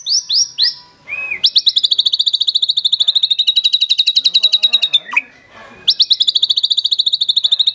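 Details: Lively white-rumped shama in full song with rich mimicked fill-ins and rapid-fire bursts: a few clear whistled notes open a long, fast, evenly pulsed trill. A brief pause and a dropping slurred note follow before the rapid trill resumes.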